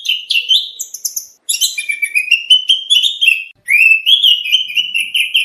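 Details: Oriental magpie-robin training song for contests, rich varied material: sweet whistled phrases around the middle of the range, some rising and slurred, with sharp high chirps above, brief pauses between bursts.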